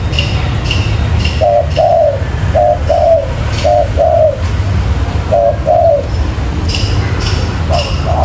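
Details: Trapping lure of a spotted dove: repeated two-part coos, a clipped note then a longer falling one, with faint high chirps from other birds in the background and a low hum.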